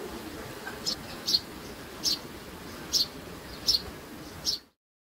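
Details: Baby sparrows calling with short, thin, high chirps, six spaced notes at uneven intervals, then sudden silence near the end.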